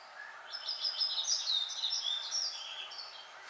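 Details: A yellow-throated bunting sings a late-season song, a quick, high jumble of thin tinkling and buzzy notes lasting about three seconds, over faint background hiss.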